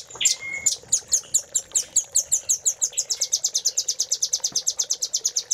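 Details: Master recording of a velvet-fronted nuthatch for tutoring caged birds: an opening whistle and a low flat tone, then a long run of very high, rapid chipping notes, about three per second, speeding slightly toward the end.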